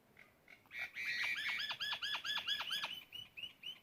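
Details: A singing myna gives a rapid run of about ten sharp downslurred notes, evenly repeated and fading toward the end, over a quiet background.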